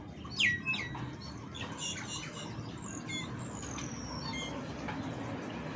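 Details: European goldfinch; courtship song; courtship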